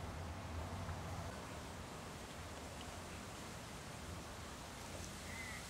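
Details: Steady hissing broadband noise, like wind or distant rushing water, with no clear animal voice.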